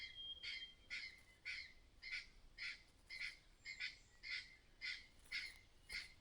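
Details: Mother bird acting strangely, giving a harsh clattering call as a warning that danger may be nearby. The rasping bursts repeat steadily, almost twice a second, with a faint thin whistle early on.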